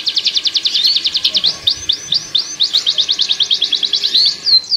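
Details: Canary mating song used to speed up pairing of breeding birds: rapid even rows of high sweeping notes changing into upturned chirps, then back to a quick rattling trill, with faint background hiss.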